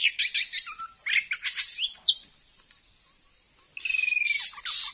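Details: A wild Oriental magpie-robin near new houses at midday, already stuck on a lime stick, keeps singing and challenging the lure: rapid varied chirps and whistles, a pause, then a buzzy rattling burst and a long sliding whistle.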